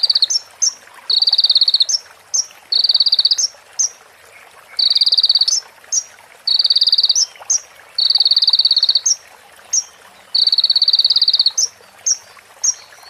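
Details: A crimson sunbird (konin) delivers imitated prinia phrases in a training recording: about eight high buzzing trills near a second long, alternating with crisp single and double chips, in a regular rhythm over faint hiss.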